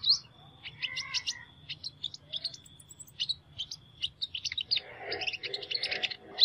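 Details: Sunbird with an unusual voice sings rapid, high, tinkling twitters and short sweet notes, growing busier toward the end, with a faint steady high tone in the background.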